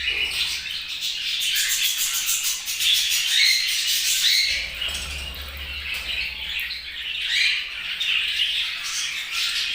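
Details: Flock of budgerigars chirping continuously, a busy mix of buzzy warbles and thin high squeaks, with a low thud or hum partway through.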